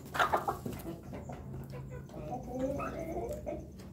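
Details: Roosters of laughing chicken, pelung and bangkok breeds crowing in the afternoon; a harsh burst opens, then drawn-out harmonic crowing notes rise and fall over low rumbling background noise.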